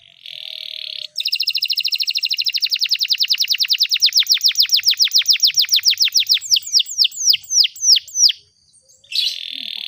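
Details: Canary song meant as a tutor for young birds: a long, even trill of rapid repeated notes that gradually slows into separate downward-sweeping chirps, then a brief pause before a buzzy phrase resumes.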